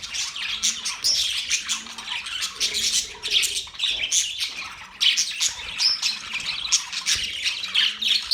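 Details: Chattering budgerigars keep up a constant bright warble of rapid chirps and squawks, with a few clear whistled peeps standing out over the dense group noise.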